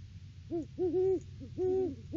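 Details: Great Horned Owl pair duetting near their nest in early December, well before February egg laying; deep hoots in two overlapping pitches, a short hoot then longer drawn-out ones, clear over faint low hum.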